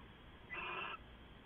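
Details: Owl near midnight, 2 September 2014: a single rough, breathy screech lasting about half a second, rising out of a low steady hum.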